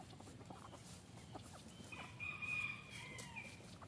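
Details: An F3 Olive Egger rooster from a free-range backyard flock gives a single hoarse, drawn-out crow lasting about a second and a half, over a soft, steady outdoor hiss.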